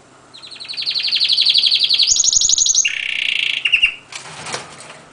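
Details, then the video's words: Canary singing a bright rapid trill of repeated high notes, stepping up to a higher rattle, then down to a lower rolling trill, followed by a brief harsh noisy burst. "Chant de Canari"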